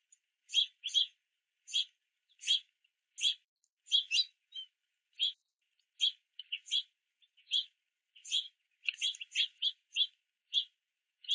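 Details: Multiple juvenile house finches at a backyard feeder in rain beg parents for sunflower seeds, producing a long busy stream of overlapping scratchy chirps, often clustered in twos and threes.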